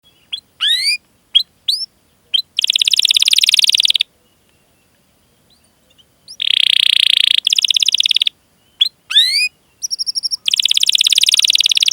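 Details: Domestic canary song used as a lure to get other canaries, including young or non-singing birds, to sing: sharp rising whistled chirps alternate with long buzzy rolling trills and a high pure-toned trill, separated by short silences.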